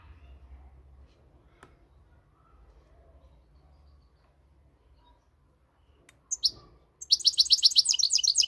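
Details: Moroccan European goldfinch: quiet start with faint low noise, then at the end a burst of rapid, high twittering notes in a dense trill.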